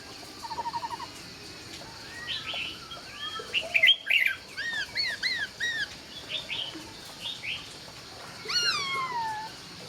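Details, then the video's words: Laughingthrush dawn song: a short rapid trill, then a lively run of varied arched whistled notes and slurs, ending with a long falling whistle, over background hiss. "Nghe Tiếng Chim Khướu Hót Cực Hay"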